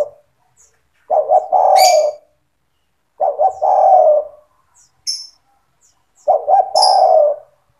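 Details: Vigorous gacor song of a spotted dove for training young doves: three phrases, each two short coos leading into a long mellow descending coo, about two seconds apart, over high thin chirps from other birds.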